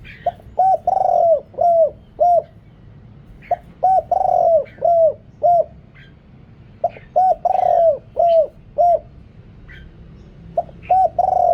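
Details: Deep-voiced spotted dove used as a decoy to call wild birds, noise-reduced; repeated phrases of four or five hooked coos, each with a long drawn centre note, recurring several times with short gaps.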